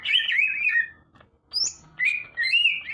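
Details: Leafbird singing in bursts of warbled, wavering whistles with a short high upslurred note, separated by brief pauses.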